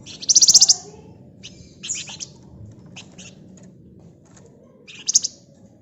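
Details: Gacor flamboyan bird singing ngebren rapat style: a loud rapid high trill opens, followed by scattered softer chattering notes and a final short sharp rattled burst, steady low hum underneath.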